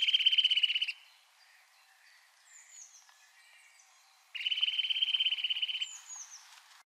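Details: Eurasian nuthatch (Sitta europaea) singing in winter: two fast, rhythmic trills of repeated whistled notes, each one to two seconds, with thin high calls from another bird in between.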